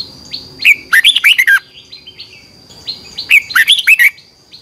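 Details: Red-whiskered bulbul in competition morning singing, twisting-voice style, used as a decoy to train birds: two loud, rapid phrases of bright warbled notes, rising and falling, about two and a half seconds apart, over a steady high whine.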